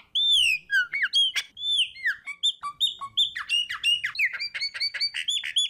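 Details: Chopi blackbird singing a varied, loud phrase of whistled slurs, falling glides and sharp clicking notes that grows denser and more rapid toward the end.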